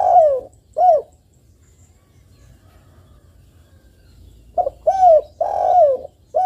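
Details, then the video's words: Spotted dove calling, used as a lure to get other spotted doves to answer. A pair of short husky coos opens, followed by a long silence, then a burst of four coos, each sliding downward. "TEKUKUR GACOR ini paling ampuh mendongkrak emosi bunyi dan untuk pancingan tekukur agar bunyi"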